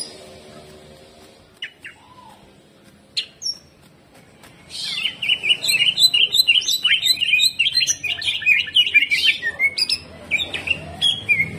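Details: A greater green leafbird in aggressive, hyper full song pours out a fast, loud run of sharp, varied chirps and whistles, after a few scattered clicks in the first seconds.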